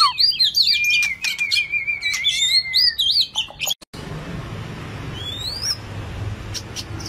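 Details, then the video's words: White-rumped shama song in the 'rít thuốc lào' style: a fast tumbling run of bright looping whistles and trills, a brief cut to silence, then a single rising whistle and a few scattered high notes over background hiss. "chòe lửa đuôi tôm hót rít thuốc lào"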